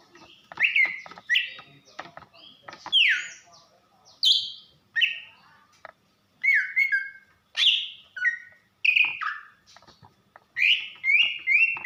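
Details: Caged female greater green leafbird from Banyuwangi used to rouse a reluctant male: rapid varied chirps and falling whistled slurs in short bursts, notes often paired, with brief gaps.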